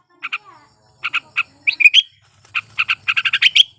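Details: Sooty-headed bulbul in breeding condition, singing as a lure for quiet birds: paired chirps spaced apart, a whistled slur, then an accelerating string of bright notes closing in a rising whistle.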